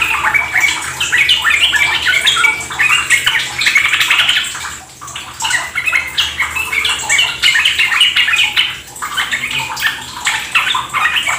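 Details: Long stretch of continuous Yellow-vented Bulbul chatter, recorded as a lure to encourage ropel singing in caged birds: dense, rapid phrases with two short lulls and faint running water behind.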